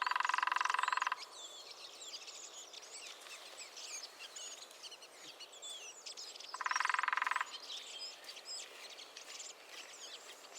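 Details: Lesser spotted woodpecker in the New Forest giving a fast, buzzing rattle just over a second long, repeated once about six seconds later, while many other small birds chirp and twitter quietly throughout.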